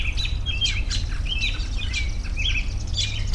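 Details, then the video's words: Short whistled slurs and sharp chirps from several birds, tumbling quickly one after another above a low rumbling background. "10 Minutes of Bird Sounds for Relaxation"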